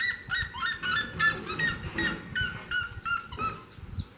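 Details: A seriema sings near a house door: a loud series of yelping, harmonic notes, about three per second, slowly stepping down in pitch over a low background rumble.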